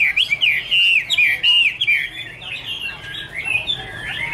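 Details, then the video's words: Chinese hwamei giving loud, rich whistled song phrases, rapidly repeated slurred notes sweeping up and down, varied and continuous, with a quieter buzzy stretch midway. "Angry Birds Dance and Sing| Iron Ax Blade Cut Wood| Bird Chinese Hwamei 2017"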